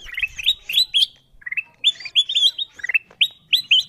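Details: Wild-bird lure of the kutilang emas bulbul: repeated short rising whistles, bright and slightly metallic, delivered in uneven runs with a brief lull near the middle, faint low rumble at the start.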